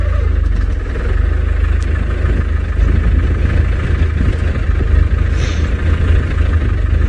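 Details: A vehicle engine idles loudly and steadily, with no animal sounds heard.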